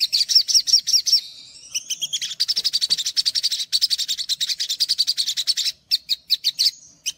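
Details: Olive-backed sunbird (sogok ontong) song meant to lure untrained birds into singing: several loud upslurred whistles, then a long rapid chattering trill of high notes, ending in spaced chips and a thin whistle.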